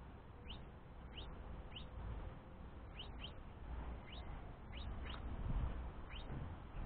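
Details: Fledgling house finch pestering the male parent, the main feeder, for food: a series of soft, quick upward-sweeping chirps, sometimes in close pairs, over constant low-pitched background noise.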